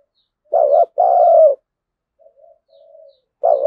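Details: Lure spotted dove calling to provoke wild birds into fighting: a short wavering coo followed by a longer sliding one, then faint quiet murmurs before the next phrase starts.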